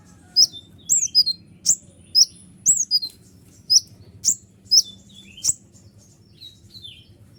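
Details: Sunbird known as kolibri ninja, singing to provoke other birds: separate sharp, high, slurred chirps spaced roughly half a second apart, fading toward the end over a soft low hum.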